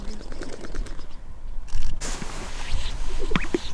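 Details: At the Henefer Lek in Utah around 7 a.m., a displaying male Greater Sage-Grouse gives two quick, hollow, bubbly pops near the end of its mating display, low and distant, over steady wind rumble; males boom by forcing air from chest pouches while competing for three to five hens.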